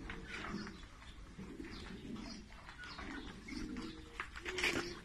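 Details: Common ostrich chicks on a farm in Nigeria giving short cooing and chirping calls. Low tonal notes form brief bursts with thin higher chirps, scattered through a noisy, busy background.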